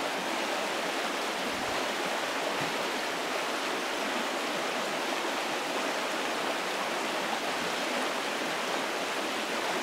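Steady rushing water from a stream or small waterfall fills the whole recording as a dense, even roar, with no distinct calls rising above it.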